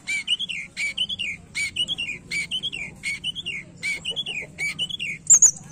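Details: Tledekan (Javan white-eye lure) used to coax a reluctant bird into singing; a bright repeated phrase of chirpy notes with a rising-falling whistled element, roughly twice per second, ending in a high sharp note.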